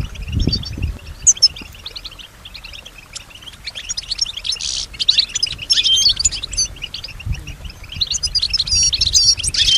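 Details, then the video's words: European goldfinch said to respond to and imitate nearby sounds; scattered high chirps and twitters, a short buzzy burst midway, then livelier tinkling notes, with low thuds at the start. "keep your goldfinch healthy and singing"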